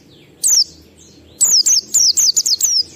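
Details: Oriental white-eye ngalas song, 12345-beat type, played to make kept birds sing: a single high falling whistle, a pause, then a rapid string of six loud, sharply descending notes in about a second and a half.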